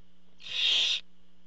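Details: A single drawn-out, harsh hissing screech from a barn owl at the nest while the father brings food, recorded by a nest camera, lasting about half a second.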